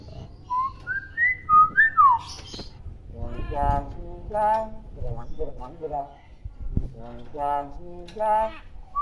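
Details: Tame common hill myna copying human speech and other sounds: a few quick rising whistles, then a run of voice-like, syllabic phrases with rich harmonics and breathy bursts, spaced unevenly. Low room noise throughout.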